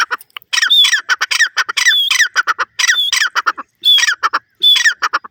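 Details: Grey francolin giving loud, harsh repeated phrases, each starting with a thin whistled rise and breaking into rapid grating syllables, recurring roughly every second with short gaps between bursts.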